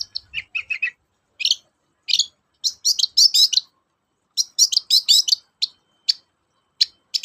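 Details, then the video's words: Long-tailed shrike song used as a lure to stimulate shrikes that are reluctant to sing: bursts of high, scratchy, chattering notes in short clusters separated by brief pauses, with a few lower twangy notes near the start. "BURUNG CENDET GACOR, PANCINGAN KHUSUS CENDET MALES BUNYI"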